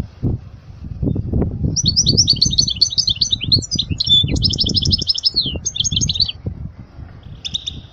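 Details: Continuous, rapid twittering and jingling trills from a European goldfinch, song for instructing young birds, with a brief pause near the end and steady low background rumble.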